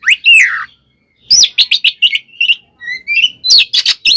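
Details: Oriental magpie-robin fighting song in the 'ngeplong' style, meant as a lure to rile other magpie-robins: a long descending whistle, a pause, then a fast run of harsh rasps and clear slurred whistles.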